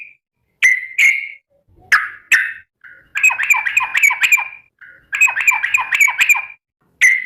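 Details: Sooty-headed bulbul calling its companions: loud, abrupt bubbly notes, first singly, then in rapid rolling runs of about six quick chattering syllables each, in two bursts.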